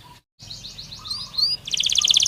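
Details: Belgian canary in a training stimulus recording: a brief scatter of thin chirps and twittering slurs after a short silent gap, then a dense, buzzy rattling trill of very rapid notes.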